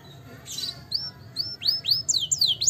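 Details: Canary song meant to stimulate lazy canaries begins quietly with a brief noisy burst, then thin rising whistles and a few louder, curving high notes dipping and rising.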